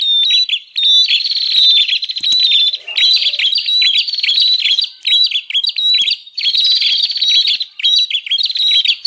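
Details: Bar-winged prinia calling loudly in a lure recording meant to attract wild birds: long runs of dense buzzy rattling, short whistles and sharp chips, with only brief gaps.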